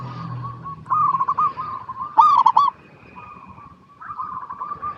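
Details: Zebra dove lure song to make silent doves sing. Bursts of rapid coos rise to a loud trilled climax, then quieter cooing resumes after a short gap, with a faint high thin tone.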